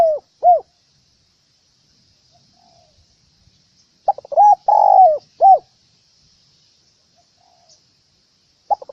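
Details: Spotted dove lure call: scattered short low hoots with long silences, including a cluster of clipped notes around a longer coo midway.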